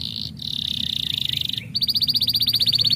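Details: Canary song played to stimulate birds: a long steady high whistled tone held over a second, then a fast pulsing trill of sharp repeated notes.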